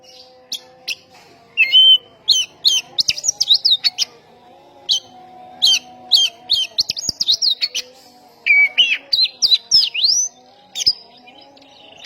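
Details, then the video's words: Oriental magpie-robin singing to provoke other magpie-robins: loud repeated bursts of quick, sweeping whistles and sharp chips, separated by short pauses, with a steady low electrical hum underneath. "ampuh pancingan 100 persen tembakan burung Kacer gacor ini bisa mendobrak emosi Kacer seketika"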